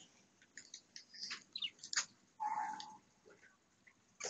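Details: Parakeets getting ready to lay and checking out their nest chatter in quick, scratchy chirps and clicks, with one drawn-out lower squawk in the middle; nothing else is heard.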